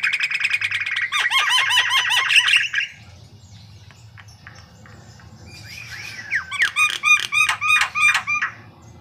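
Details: Gacor song of a white-vented myna, a lure recording: a burst of squawky chattering and down-slurred whistles, a quiet pause with faint background hum, then a second series of rapid harsh, clipped notes.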